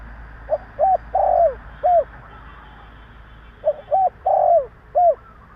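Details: Spotted dove with a male voice, a call meant to provoke other doves. Low rounded coos come in two matching phrases, short-short-long-short, separated by a silent stretch.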